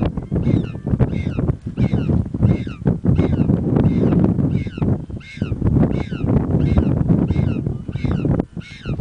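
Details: At Punta Tombo in Argentina, penguins scream for food from the mother, giving a steady series of loud, harsh, downward-sweeping squawks roughly twice each second, with heavy wind noise underneath throughout.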